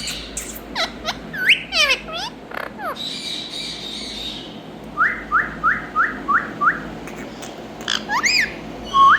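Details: Indian ringneck parakeet, a pet green parrot, calling; hurried squeaks and slurred whistles, a buzzy passage, then six evenly spaced rising whistled notes and a final burst of sharp squawks.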